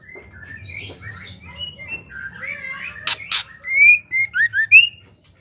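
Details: Female white-rumped shama used to stimulate males to sing: soft varied whistles, two sharp rasping clicks, then five or six loud rising whistled notes in quick succession.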